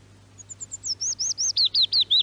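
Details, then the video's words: Willow warbler song in Norway in summer, from a radio archive: faint high notes swell into louder, looping whistles that step gradually downward at a slowing pace, the phrase cut off mid-descent, with a low electrical hum beneath. "Norges Fugler: Lauvsongar"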